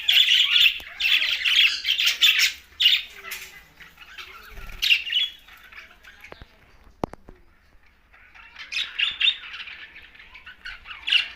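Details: Green budgerigars from Larkana, Sindh burst into busy, scratchy chattering, fall nearly silent apart from a few clicks and a thud, then resume the rapid chirping toward the end.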